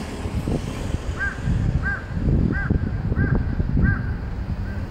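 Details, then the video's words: A crow caws five times in a regular series, each call a short hoarse note roughly two-thirds of a second after the last, heard over a constant low rumble. "cawing of a crow 까마귀 울음소리"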